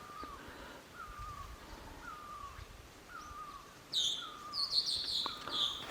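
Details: A great barbet calls from the left in the Himalayan village of Bandri, Uttarakhand, around 6:30 on a sunny morning, giving short, mournful, slightly falling notes about once a second; louder high chirps from another bird break in near the end.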